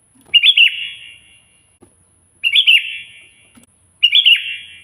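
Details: Sooty-headed bulbul calling a rival: three bright bubbly whistled phrases spaced about two seconds apart, each a fast tumble of clear notes that drops and fades, with faint soft knocks in between.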